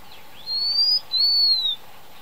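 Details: One clear, piercing two-note whistle from a Blue-winged minla, the first note climbing slightly, the second longer and gently falling, with only a soft steady hum behind.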